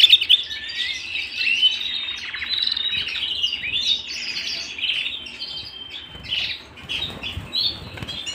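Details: Canary song at home, high and fast: twittering trills and chirped phrases run together with short breaks, with brief soft rustling in the background.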